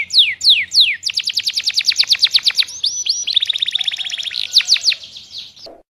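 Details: Canary in full song: two drawn-out falling whistles open into a quick, ringing trill, then a higher buzzy rattle and further sweeping notes before the sound cuts off abruptly.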